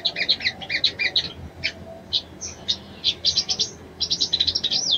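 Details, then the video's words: Female sogon uttering a mating call to stir a male: clipped high chirps in quick groups, ending with a fast series of slurred notes. "SOGON BETINA MEMANGGIL JANTAN‼️SANGAT AMPUH MERANGSANG BIRAHI SOGON JANTAN"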